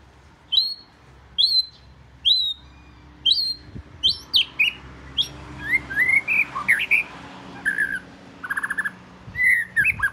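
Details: Southern Thai Oriental magpie-robin, the first bird of the house, repeating loud high whistled notes about every second, building into a varied song of sliding whistles, warbles and rattling trills.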